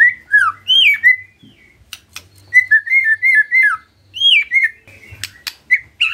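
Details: White-rumped shama, a captive bird prompted by a lure recording, sings varied whistled phrases: swooping notes, a stuttering series of short repeated whistles, then more slurred notes among sharp clicks.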